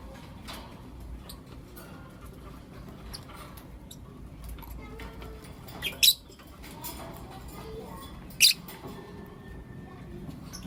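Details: Blue opaline and lutino opaline lovebirds in the morning give two loud, piercing chirps a couple of seconds apart, with softer high ticks scattered between them over a low background drone.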